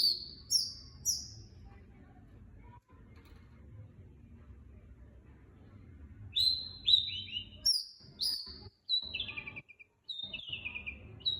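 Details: Long-tailed shrike song used as a lure: bursts of high, sharp, downslurred whistles, a few at the start and a livelier string later, separated by a long gap filled with low rumbling background noise.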